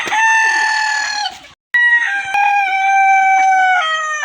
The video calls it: Rooster crowing